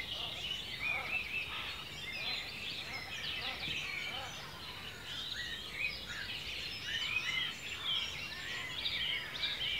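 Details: Birds singing in ancient woodland in Cornwall, UK; a dense chorus of many overlapping high chirps, trills and twitters from several birds at once over steady soft forest background noise.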